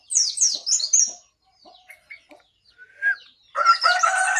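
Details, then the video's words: Yellow-breasted white-eye from Pacitan singing in a wild-type rolling style: high quick twittering phrases, a few scattered short notes and a rising whistle, then a loud dense warbled burst with lower harmonic tones. "Burung Pleci Dada Kuning Pacitan suara ngalas ngerol"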